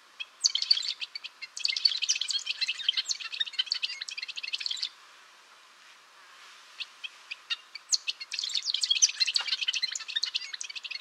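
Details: Long, rapid twittering song of a golden-rumped euphonia, high and scratchy with crowded chips and trills. About three seconds of near silence holding a few scattered notes breaks the song, which then resumes just as busily.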